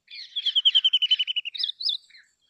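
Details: Brown rock chat delivering a fast, evenly spaced series of about a dozen clipped notes, ending with two higher, sweeter whistled notes and a soft trailing chirp.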